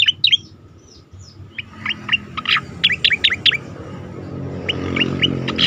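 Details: Song of an Asian pied starling, recorded for training competition birds: quick squeaky chirps open, then a run of sharp, separated notes with a faint low hum behind them.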